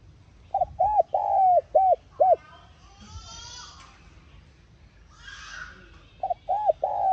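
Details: Spotted dove coo used to trigger a decoy bird. One full phrase of short and long hollow notes, a pause with faint higher chirps and a hiss, then the next phrase begins.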